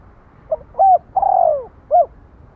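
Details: A spotted dove delivers one cooing phrase in a quiet setting: a short soft note, an up-and-over coo, a long downward-gliding coo, then a crisp short coo to finish.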